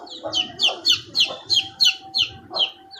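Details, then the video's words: Domestic chicks peeping: a steady series of high, downward-slurred cheeps, about three per second, with faint lower clucking underneath. "Hen kids sound effects"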